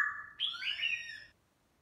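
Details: Black-throated laughingthrush singing and dancing in the morning: a rich, fluting whistled phrase that starts low, then jumps upward into a wavering, bright warble before stopping abruptly, in otherwise quiet surroundings.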